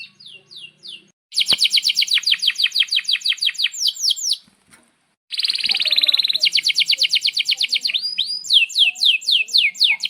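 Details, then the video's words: Lively canary in full song, used for tutoring young canaries and birds that have stopped singing: rapid trills of sharp chirps, a brief pause, then a dense high rolling trill and repeated swept whistles. "Kenari GACOR PANJANG INI Cocok untuk Masteran KENARI PAUD dan Kenari Macet BUNYI"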